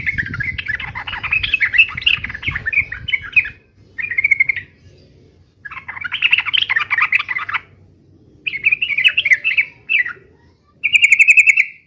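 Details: Energetic yellow-vented bulbul fighting song: several bursts of dense, bubbly chatter with pauses, ending in a loud, fast, ringing trill; low rumbling at the start.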